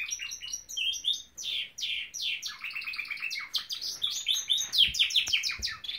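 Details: Steady canary song from a Norwich canary: layered high trills, rolling chatter and quick repeated chirps without break, shifting pitch between phrases.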